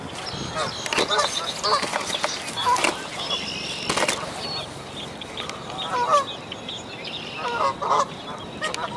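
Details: Canada goose at a nest in a dead tree as newly hatched goslings jump down to follow their mother; scattered honks and short nasal calls among bursts of background noise.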